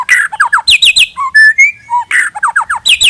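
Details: White-rumped shama song for luring: quick down-slurred whistles in groups of three, clear sliding whistles, then more rapid falling notes, loud and varied.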